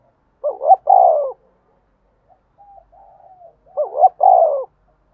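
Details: Fighting and calling coo of a spotted dove. Two phrases about three seconds apart, each a pair of clipped rising notes followed by a longer mellow downslurred coo, with quiet faint notes between.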